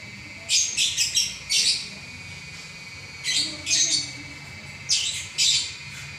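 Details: Champion lovebird giving a non-stop song of quick clustered chirps, three or four rasping high notes per burst, bursts repeated every couple of seconds over faint hum.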